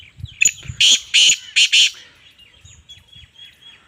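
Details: Female black francolin calling: a few soft clicks, then four loud, harsh, grating notes in two closely spaced pairs over about a second, followed by faint scattered chirps.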